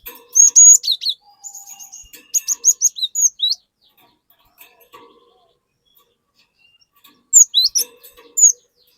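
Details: A cinereous tit sings loud lure phrases to make untrained birds sing along: clusters of piercing high whistles swooping and stepping down, repeated after pauses, with faint chips in between.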